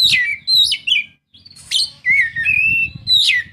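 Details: Kacer, the Oriental magpie-robin, pours out energetic song of clear rising and falling whistles mixed with scratchy rasps, almost continuous with one short break, meant to coax a quiet bird into singing.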